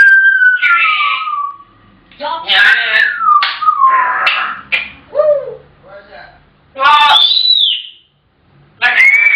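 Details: African grey parrots chattering with speech-like phrases mixed with falling whistles and squeaks, dense and varied over nine seconds.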